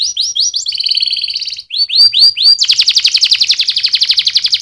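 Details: Canary delivering repeated rising whistles that run into a buzzy trill, then a short rising series and a long, fast rolling trill to the end.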